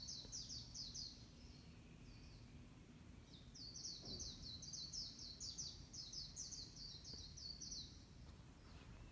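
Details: Bird singing in the morning: two lively runs of rapid, high, scratchy down-slurred chirps separated by a short pause, over a soft low rumble of background noise.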